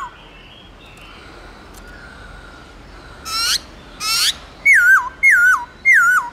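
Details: White-browed laughingthrush in loud, clear forest-style song: after a quiet start come two harsh buzzy bursts, then three matching wavering whistles that fall steeply, about one every half second.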